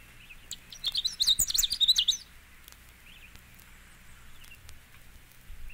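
Canada Warbler song: a quick, sputtering jumble of high chips and warbled notes lasting under two seconds, then quiet.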